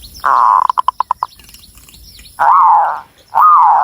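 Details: Local Javanese zebra dove from Cilacap, Central Java, singing: a long mellow coo near one pitch, a quick run of short pulsed notes, then two separate rising-and-falling coos after a pause, in a quiet setting.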